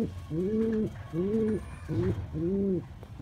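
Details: Courting male pigeon calling a female, four clear, even coos, each a smooth arched tone lasting about half a second, spaced roughly every 0.6 seconds over a low background hum.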